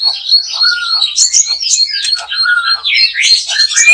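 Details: White-rumped shama song near a backyard trap: dense, fast, high warbling chatter with overlapping twittering notes and a lower whistled slur, no pauses.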